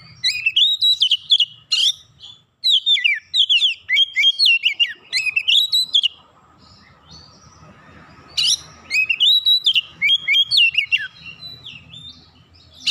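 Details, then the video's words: Provoked by another magpie-robin, an oriental magpie-robin sings energetically with open beak, unloading its fill-in repertoire: bursts of fast whistled, chirping phrases separated by a quiet gap of several seconds, then a renewed rapid run. "KACER LAIN CEPAT TERKOMPORI MEMANAS GACOR BUKA PARUH BONGKAR ISIAN"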